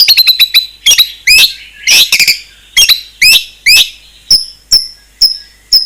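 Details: Isian song of a white-rumped shama, made of quick clusters of sharp clicks and rising chirps, then single high whistled notes spaced about half a second apart.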